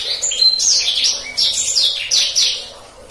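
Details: Black-throated canary in gacor ngeroll song, a master song for young canaries: a short lively run of high descending whistled slurs repeated in quick succession, fading at the end.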